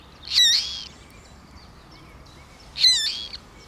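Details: A lone, seemingly uninjured Common Moorhen chick, possibly fallen from its nest, gives two high, thin, wavering peeps about two and a half seconds apart, calling for a parent, during a mid-afternoon thunderstorm with rain, over a faint outdoor hiss.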